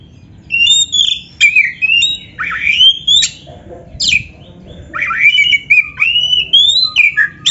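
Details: Master song of a white-rumped shama for kept birds: lively mix of rising fluty whistles and harsh buzzy notes, delivered in quick phrases with brief pauses.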